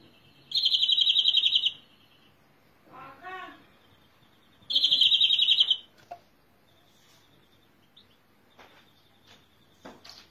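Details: Two short, rapid trills from a greenfinch, separated by a muffled rumble, followed by faint scattered clicks and thin background chirps.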